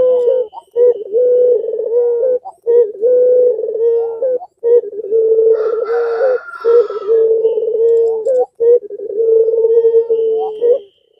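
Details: Puter pelung (Barbary dove) coo used to stir rival doves into calling: nearly continuous low, even coos in rolling trilled phrases, broken by brief gaps about every two seconds.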